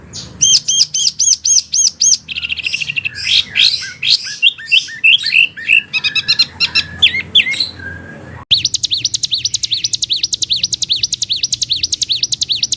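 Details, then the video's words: Wambi song used as a training recording for oriental magpie-robins and other birds: bright whistled notes and quick varied chirps, then a fast, high, evenly repeated trill running to the end. "SUARA BURUNG WAMBI PILIHAN SANGAT BAGUS BUAT MASTERAN BURUNG KACER,DAN LAINYA"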